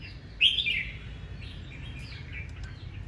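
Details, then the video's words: Red-whiskered bulbul singing in the morning in a harsh, aggressive fighting style: one loud, sharp, slurred phrase near the start, then faint twittering notes over a low background hum. "Tiếng chào mào hót đấu ché"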